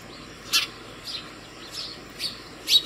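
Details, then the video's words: House sparrow calling other sparrows to food in the early morning at a home feeder: five sharp, bright chirps spaced about half a second apart, with a faint steady background hum. "Sparrow Bird Call other Sparrows for Food in the morning"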